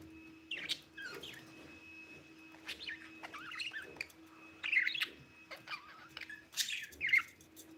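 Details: Pet budgerigar chirping: a run of quick, irregular warbled chirps and squeaky twitters, some rising and falling, in bursts every second or so, over a steady faint electrical hum and a thin constant whistle-like tone.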